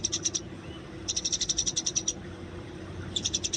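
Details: Eurasian tree sparrow in the wild with fighting song for training: high, thin chips in rapid bursts of about ten, separated by short pauses, over a faint low hum.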